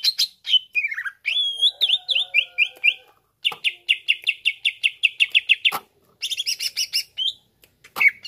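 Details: Greater green leafbird pouring out its varied repertoire, meant to stir up other leafbirds: falling slurred notes, a run of rising chevron whistles, then a fast stuttering train of bright repeated chips and a buzzy burst.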